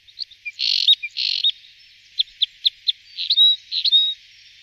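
Two-barred Crossbill giving high chirps and dry buzzy trills, a run of four quick evenly spaced chips, then short whistled notes, all high-pitched in a quiet setting.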